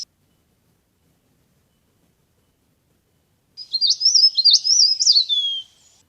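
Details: High-pitched, fast twittering from a leaf warbler that is used to lure birds into traps. After a long silence, a two-second burst of sharp, up-and-down notes ends in a falling tail.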